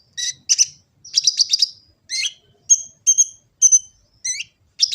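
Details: Phone recording from Gresik, East Java of a kolibri ninja sunbird, meant as master song for trained birds: a short buzzy trill, then crisp high chirps spaced about every half second.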